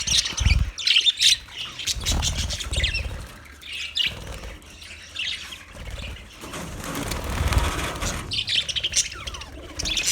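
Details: Budgerigars, 29 February 2024: bursts of high, scratchy chirping and warbling come and go over wing flapping and low rumbling thumps, with quieter gaps between the louder chatter.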